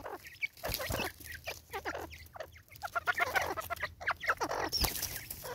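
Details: Angry female Natal spurfowl in South Africa, 2024, giving harsh, raucous cackling notes in rapid uneven bursts, with squeaky higher notes mixed in and a low steady hum beneath.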